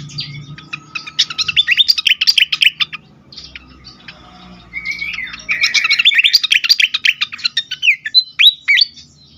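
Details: Fired-up fantail song meant to lure and stimulate birds: fast high twittering bursts of sharp chirps, a pause with a short rising whistle, then dense tumbling notes and downward slurs at the end.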